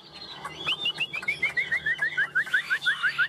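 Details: Caged tame Chinese hwamei in Vietnam delivering an even, regular song: a steady string of short, clear whistled notes repeated rapidly, each slightly lower than the last.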